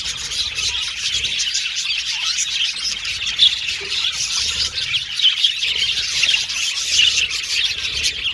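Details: Budgies in a group chatter nonstop, a bright, steady wash of high tweets and trills, with occasional sharper squawk-like notes rising above it.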